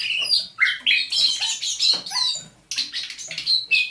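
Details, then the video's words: At dawn on 27 November 2021, a captive thrush nightingale, caught near St Petersburg in May 2019, delivers quick chattering and whistled notes, pauses briefly, then resumes with another rapid phrase. "Пение восточного соловья на рассвете."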